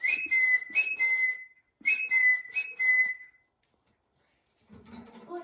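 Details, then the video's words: Trained rainbow lorikeet: two matching phrases, each a level whistled tone with a brief higher step, overlaid with harsh screechy bursts, separated by a short gap; muffled voices and room noise follow. "training rainbow lorikeets whistles"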